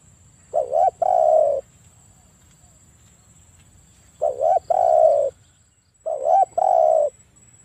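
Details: Spotted dove cooing in a lure recording meant to draw a rival to call back: three phrases, each two short wavering notes then a longer, steady mellow coo, separated by pauses, over a faint low hum.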